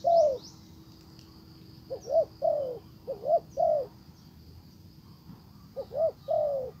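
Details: Spotted dove decoy bird calling a wild dove: two groups of paired short coos followed by a longer falling coo, with insect trilling and a faint steady hum behind.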